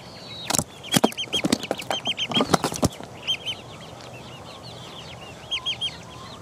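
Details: Several four-week-old chicks peck around. Loud dry pecking knocks crowd the first three seconds, while short high peeps repeat in small bursts throughout. The peeps continue alone and softer toward the end.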